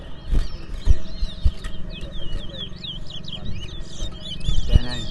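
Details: Chestnut-bellied seed finch at a bird whistling competition in Port Mourant, Guyana, 2024: a continuous stream of quick sliding whistles and chirps, with occasional knocks and thumps and a low background drone.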